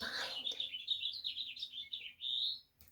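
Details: In spring around houses, a House Finch sings a long, rambling warble of quick high notes, jumbled and bubbly, ending in a rising buzzy slur.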